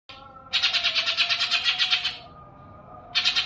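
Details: Greater green leafbird (cucak ijo) training recording used to make birds respond: a rapid burst of about a dozen harsh, buzzy chattering notes lasting under two seconds, a short pause, then another burst starting, over faint steady tones.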